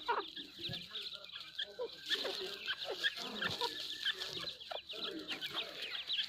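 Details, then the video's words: Grey francolin (called grey partridge) giving rapid, overlapping clucking and chattering calls, sharp and high-pitched, over a busy background of other fowl and faint voices. "Dakhni Teetar | Grey partridge"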